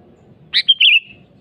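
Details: Sooty-headed bulbul in full song, calling a rival, gives a scratchy burst, a clear short whistle and a warbled downslurred note over a low, steady rumbling background.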